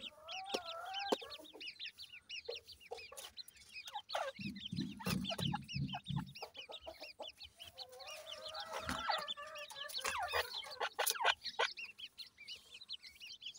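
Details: A long stretch of grey francolin chick chatter (dakhni teetar): dense high arched chirps and clicks, with a low rough noise in the middle and swelling activity later.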